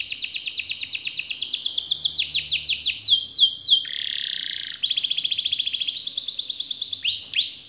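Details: Canary in full 'gacor' song with long rolls: a quick run of descending whistled notes, a low buzzy trill, then varied rapid trills at changing pitch and a few final sweeping notes.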